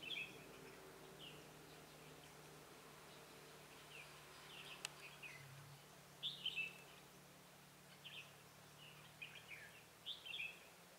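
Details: Red-whiskered bulbul at a trapping site, a decoy bird luring wild bulbuls: short, bright chirping phrases that rise and fall, coming in scattered bursts every one to two seconds over a quiet background with a low hum.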